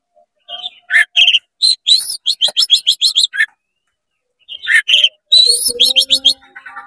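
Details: Male-style fast song of an oriental magpie-robin used to rile up rival magpie-robins: rapid strings of bright chirps and high slurred whistles in two bursts split by a short silence, with a faint low steady tone near the end.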